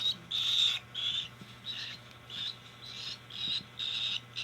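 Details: Cockatiel begging while being hand fed: harsh, buzzy high calls in regular bursts roughly every half second, each with a thin whistled edge, over a constant low electrical hum.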